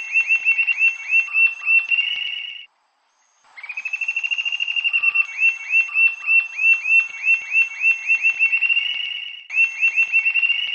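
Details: Rufous-tailed jacamar from Brazil gives rapid runs of high, thin, squeaky notes that speed into excited trills; after a short silent break, the song resumes.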